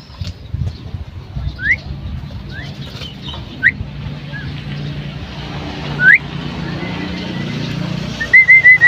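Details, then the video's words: Female common myna calling: scattered short whistled notes sweeping sharply upward, spaced unevenly over several seconds, ending in a quick run of four bright repeated whistles, over a steady low traffic-like hum. "The common myna (Female) | myna calling"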